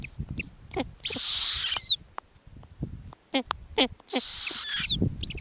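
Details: Snowy owl owlets at an Arctic nest as the mother feeds them torn-up lemming. Two rasping, hissing screeches with falling whistled endings about three seconds apart, amid soft clucking notes, rustling and bill clicks.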